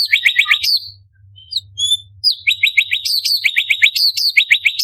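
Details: Orange-bellied leafbird, known locally as cucak cungkok, sings a tutor song for training contest birds. Rapid bursts of five or six steeply falling chirps alternate with brief high whistled notes after a short pause.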